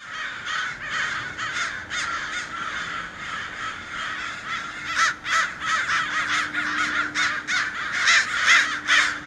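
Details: Crows screaming their heads off and raising a fuss outdoors: a dense stream of harsh, raspy caws from several birds, overlapping and repeated more than twice a second, growing louder and more frantic in the second half.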